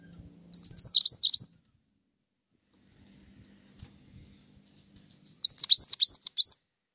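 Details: Pied triller, wild or kept songbird song used as training audio for other songbirds and for luring: two bursts of rapid, high, rising whistled notes, about eight each, separated by a quiet stretch with faint soft chips and low hum.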